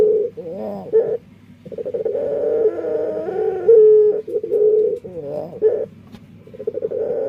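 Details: Dove with an unusual song: a series of rolling, warbled coos with wavering pitch, broken by brief pauses and one short sliding hoot in the middle.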